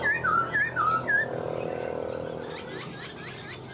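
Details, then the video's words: Older wild-caught Black-throated laughingthrush, kept caged and still partly untamed, sings four crisp looping whistled notes in about a second, then falls quiet under a steady background hum. "Khướu bạc má mộc dở chim già rừng, hót tốt giọng hay"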